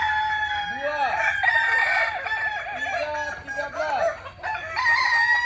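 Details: Kokok Balenggek chicken of Solok, West Sumatra, giving continuous multi-syllable crowing. Wavering arched notes follow one another almost without break, some crows overlapping, with a faint low hum behind.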